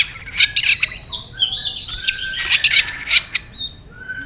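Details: White-rumped shama goaded into competitive song: a dense, busy stream of overlapping harsh and whistled notes with sharp clicks.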